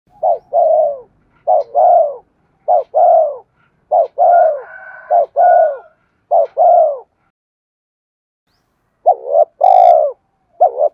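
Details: Spotted dove song used to lure wild birds: repeated low cooing phrases, each a short doubled note followed by a longer, falling coo. Seven phrases come in quick succession, then a silent gap before more. A faint higher tone appears briefly.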